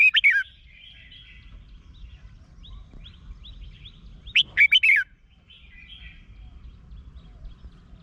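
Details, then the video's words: Red-whiskered bulbul song from Thailand, meant to stir up caged birds. A brief warbled phrase opens, and a fuller phrase of several quick notes follows about four seconds later. Soft background twitters continue throughout. "เสียงนกกรงหัวจุก สำหรับต่อ หรือ เปิดให้นกคึก เสียงเพราะๆ"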